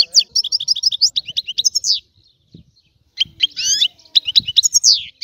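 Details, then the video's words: Sicilian European goldfinch singing a rare old-style song: a run of bright, high twittering notes, a short silent gap, then further buzzy twitters and slurred chirps. "Canto del Cardellino | Richiamo"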